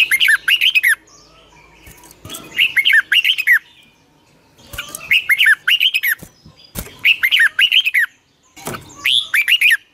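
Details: Red-whiskered bulbul in its 'long twisted double voice' morning training song: about six lively phrases of clear, downslurred whistles, delivered in quick succession with occasional sharp clicks and knocks in between.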